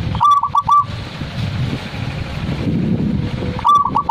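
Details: Zebra dove (perkutut) song of a kind prized by collectors: a quick three-note cooing phrase opens, then a pause filled with low-pitched background hum, and a second clipped coo phrase begins at the close.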